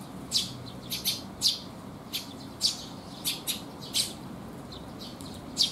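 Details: Eurasian tree sparrows arriving to be fed on a rainy day, 19 June 2021, at a resting spot; short bright chirps come singly at irregular gaps, about ten across the stretch, over a soft steady background hiss.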